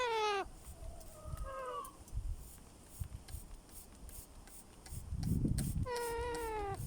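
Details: A baby parrot in an aviary makes soft, curious noises: a falling nasal wail, then two shorter tonal notes, a quiet stretch with low rustling, and finally a long level wail that drops at its end.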